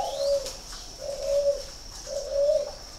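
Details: Captive spotted dove kept at a breeding farm in Ba Vì, Hanoi, northern Vietnam, cooing three mellow hollow notes at roughly one-second intervals, each swelling then fading, with a constant thin high whine behind.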